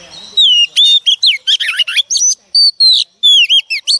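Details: Loud, lively song from a female Oriental magpie-robin stimulating males: clear whistles sliding down, interleaved with fast buzzy chatter and sharp chirps, phrases coming in quick bursts with brief gaps over four seconds.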